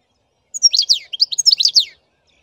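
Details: Song of a black-headed goldfinch: a quick, tinkling run of high chirps, then a second jumbled twittering phrase sliding downward, in a quiet setting.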